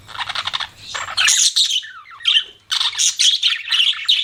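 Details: Budgerigar chirping in bursts: a scratchy warble, then sharp tweets, a short gap with a soft descending note, and renewed rapid chattering chirps.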